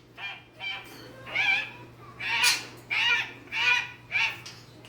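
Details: Two captive pet macaws making a barking sound, harsh hoarse barks repeated about every half second to a second in an indoor room, with a faint steady hum.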